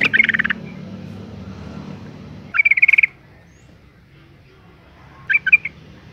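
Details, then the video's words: Female yellow-vented bulbul calling to provoke males into singing: short bursts of rapid, bubbly chattering notes, spaced about two and a half seconds apart, with a low hum in the background. "suara panggilan burung trucuk betina gacor ngalas tercepat mancing emosi trucukan jantan agar bunyi"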